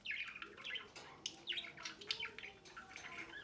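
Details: Budgerigar parents feeding a chick at the nest door in a home breeding setup; rapid scratchy chirps and squawks in quick bursts, with a faint low hum underneath.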